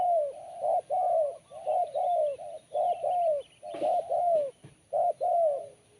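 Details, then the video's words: Spotted dove singing steadily with a sharp, crisp tone, producing a continuous run of paired low coos, roughly one a second, each note slightly falling at its end. "Poin BL Kuk 1 Suara Mersik Tajam"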